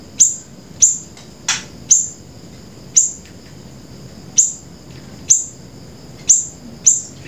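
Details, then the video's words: Grey-breasted prinia in 'gacor' song for luring and tutoring birds: sparse, sharp, very high chips sliding downward, spaced about half a second to a second and a half apart, with a low background hum. "flamboyan gacor"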